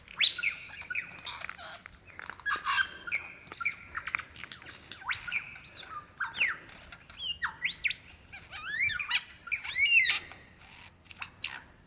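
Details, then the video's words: In Dandenong Ranges National Park, Victoria, Australia, February 2016, a lyrebird calling for a female pours out a long, varied song of squawks, whistles and rapid looping trills. "Rare and incredible sounds of a Lyrebird calling for his mate"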